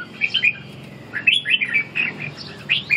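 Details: Red-whiskered bulbul in captivity during ché training, giving a few softer, slurred whistled notes, sparse at first and then closer together, against a low background hum.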